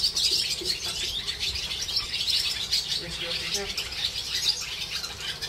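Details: Swallows twittering over the Jewish quarter of Hervás in northern Extremadura, a dense wash of high chirps with soft human voices in the background.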